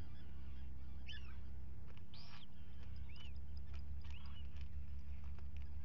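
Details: Common guillemots on 27 June 2020 as two chicks hatch, seen on a live camera; about four separate high arched whistles, each a quick rise and fall, spaced roughly a second apart above steady low noise.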